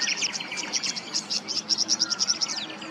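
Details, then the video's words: Tawny grassbird in Queensland, Australia, wetland habitat: a rapid run of high, bright chirped notes repeated in quick pulses, with a softer buzzy trill underneath throughout. "The most pristine sound of the Tawny Grassbird's call"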